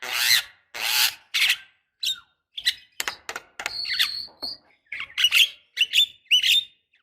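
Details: Black-winged starling, female calling a male, used as a lure to get a young bird singing; harsh, broadband rasping bursts, then a series of shorter squeaky notes and a sustained whistle, with brief gaps between notes.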